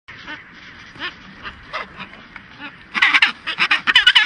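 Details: Chinstrap penguins chasing off a skua that is trying to crack a chinstrap penguin egg give harsh, quacking squawks at about one per second, swelling into a louder, faster burst of braying notes near the end.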